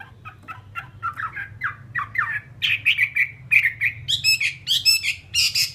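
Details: Chinese hwamei of the fighting type, caged, starting with quiet clipped notes that build into louder, harsher, buzzy repeated phrases climbing in pitch, with a low background hum.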